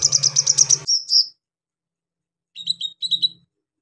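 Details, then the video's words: Brown-throated sunbird song, harsh and meant to agitate other sunbirds: a fast run of high ticking notes ending in a drawn-out whistle, silence, then two short chattering phrases. "KOLIBRI NINJA GACOR BONGKAR ISIAN KASAR BUAT MENAIKAN EMOSI KONIN BAHAN"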